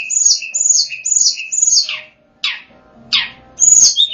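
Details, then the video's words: Lure song of the tledekan gunung, or Sunda Robin: four quick paired high and low whistles, then downward-sweeping buzzy notes and a final sharp whistle. "suara pancingan/ pikatan tledekan gunung"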